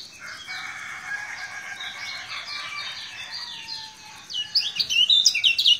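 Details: Lemon-bellied white-eye from Lombok, singing a lot: quiet, rambling warbled chatter with some lower notes mixed in, building near the end into loud, rapid high chirps and twitters.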